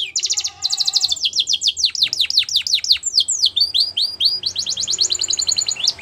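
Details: Singing canary in the wild pours out dense, high trills and strings of steep down-slurred notes, changing syllable type every second or so.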